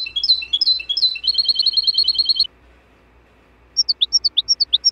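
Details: European goldfinch song for training cage birds: twittering phrases run into a quick even trill, then after a pause a series of separate sharp chirps.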